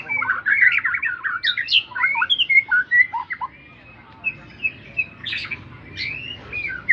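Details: Song of a white-rumped shama: a fast burst of tumbling whistles and chirps, then a quieter run of spaced, sharp notes and a few high whistled phrases.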